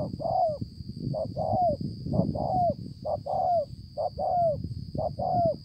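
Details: Spotted dove, wild-caught, with a beautiful necklace pattern, recorded in Konlong on 5/9/2020. Brisk repeated two-note coos, a short hoot then a longer slurred, downward coo, roughly one pair per second, with low rumbling and a high steady whine.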